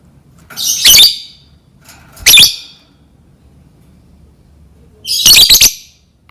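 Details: Lovebird sound for luring lovebirds into learning to sing: three harsh, high, squeaky chirp bursts, the last a stuttering cluster, separated by quiet pauses.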